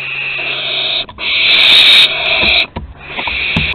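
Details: Barn owl young practising flight, Théding, France, 21/09/2020: long, almost unbroken harsh hissing screeches, briefly cut by short breaks, with soft knocks and scuffling underneath.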